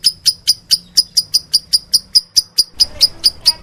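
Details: Lovebird, described as meloloh, repeating sharp high-pitched chirps about twice a second, evenly spaced, with soft background noise toward the end.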